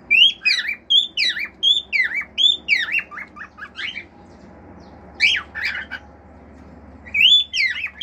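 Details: Male pet cockatiel singing natural songs with imitated sounds: a quick run of rising-then-falling whistles, about a dozen notes, a pause, then a few more whistled phrases.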